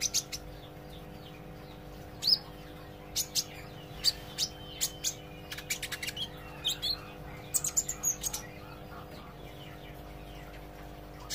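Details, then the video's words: Young olive-backed sunbird learning to sing: scattered high thin chips and ticks through the recording, bunched into quick runs of three to five notes, with a faint continuous hum underneath. "suara kolibri ijo belajar gacor & ngobra"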